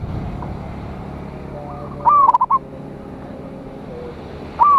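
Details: Local zebra dove song used to draw rivals: a rising note then a quick run of short rolling coos, a second phrase starting at the end, over a low rumbling background hum.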